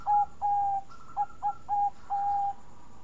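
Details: Bangkok-type zebra dove with a sweet voice, singing as a lure to set other birds cooing: six pure, mid-pitched coos at one steady pitch, short clipped notes mixed with longer held ones over three seconds, over a faint constant high hum.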